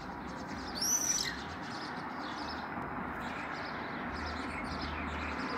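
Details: Swifts in flight in June 2020, a flock circling close to a window by their nest entrance where nestlings were likely: one brief, shrill, high scream near the start, then faint thin high calls over a steady broadband background hiss.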